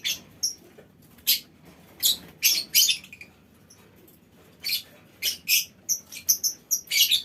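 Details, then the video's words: Colony of lovebirds calling in a small aviary; rasping high screechy notes in clusters, interspersed with short pure whistles, quiet gaps between groups. "Suara Lovebird Koloni Bikin Burung Lain Ikut Ngekek Panjang"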